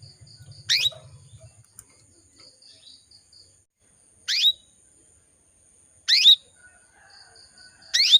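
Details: Female canary summoning males with four short, sharp chirps spaced one to three seconds apart, over quiet background with faint high buzzy notes and a brief low rumble at the start.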